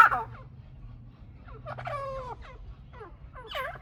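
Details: Chukar partridge pair: a loud opening note, then a cluster of stacked, wavering hoarse calls and a final arched chuk note, over a faint low hum.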